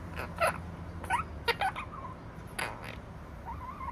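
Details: Pet opaline monk parakeet (Quaker parrot) indoors, gives a few short, harsh chattering squawks broken by softer warbled chirps, over a low indoor hum. Monk parakeet.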